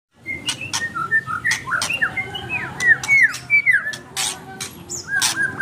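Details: White-rumped shama in active, full song: quick varied phrases of clear whistled notes, many sliding sharply up or down, delivered almost without pause over several seconds, with sharp dry clicks scattered between the whistles.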